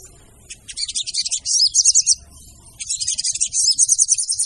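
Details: Female brown-throated sunbird calling as a lure: after a quiet start, bursts of fast, high-pitched twittering and trilled chatter, a pause near two and a half seconds, then another sustained run of rapid chirps.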